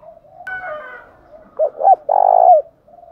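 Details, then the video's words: Spotted dove calling to provoke song: low cooing with a brief higher tone, then two hooked notes and a long rolling, falling coo. "Chim cu gáy kích bổi nhanh nổi"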